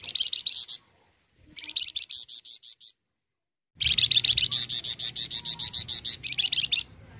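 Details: Full song of a Flamboyan bird, played to coax other birds into singing: three bursts of fast, sharp, buzzy high notes, the last a long even string of about fifteen pulses, separated by brief silences.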